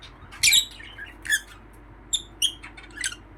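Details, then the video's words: Happy lovebird chirping indoors: a handful of sharp, high, scratchy chirps in short bursts, separated by brief pauses, with a quiet room behind. "Happy Love bird chirping sound"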